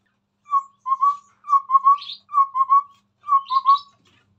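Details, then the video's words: Chestnut-rumped babbler singing busily beside a phone, delivering a quick run of low whistled notes in pairs and triplets, steady in pitch, with brief buzzy higher notes slipped between groups. "Burung Tepus Tunggir merah Gacor"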